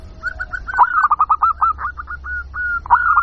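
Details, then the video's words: Local zebra dove call used as a lure to attract wild birds: a rapid run of short, rolling cooing notes at one mid pitch, with a brief louder burst near the start and end, over low background hum. "Suara Pikat Burung Jitu Perkutut Jamin Nyaut Kutut Lokal"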